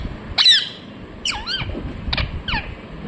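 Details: Talking parrot, "mithu mithu": a loud harsh squawk, then a bending, speech-like syllable and two shorter clipped notes within three seconds.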